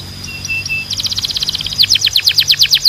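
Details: Canary song described as a Belgian canary: a few soft piping notes, then a quick, bright trill of repeated chirps growing louder.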